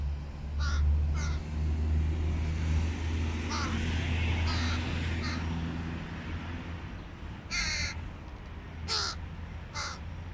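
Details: Young hooded crow fledgling feeding itself: faint raspy calls early on beneath loud low traffic-like rumble, then three louder, harsh caws near the end as the noise eases.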